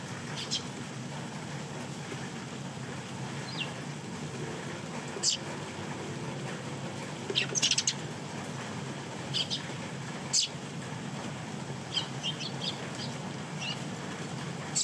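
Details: Rain-soaked young sparrows and their elders at a balcony feeding spot in a downpour; scattered high, brief chirps and a quick cluster of calls, all over a dense, steady roar of rain.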